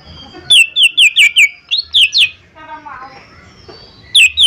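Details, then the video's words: Cucak ijo mini, used as a lure to trigger singing: a quick string of sharp, slurred notes with buzzy overtones, a pause with soft lower twittering, then two more loud notes. "Cucak Ijo Mini Gacor 💯 Pancingan Paling Cepat Bunyi/Respon"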